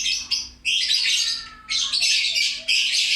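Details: Noisy lovebird chattering: sharp squawky bursts of harsh, high-pitched twitter, the first short and the later ones running longer.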